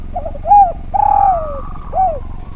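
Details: Close, loud spotted dove (derkuku) song from a training recording for other birds: a short note, a longer falling coo, then a drawn-out downward croon and a final falling coo over low rumble.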